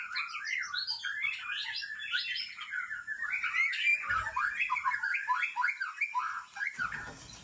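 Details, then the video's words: White-rumped shama of Aceh origin, a breeding bird from Lamteuba, pours out a rapid, dense stream of chattering and twittering notes without pause. Occasional low thumps sound in the background. "Murai Aceh"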